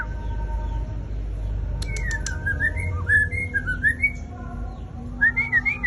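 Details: White-rumped shama song: a lively string of varied whistled phrases, slurred and rising, delivered rapidly after a brief quiet start, with a steady low rumble and faint sustained tones behind.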